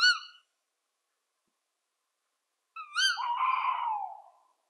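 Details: Tawny Owl calling: a short, bright, higher note, silence, then another sharp note running into a lower, quavering hoot that wavers and fades.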